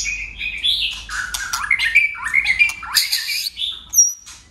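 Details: White-rumped shama singing in contest style with many voices: loud whistled notes bending up and down, harsh squawky bursts, then a high thin double whistle at the end.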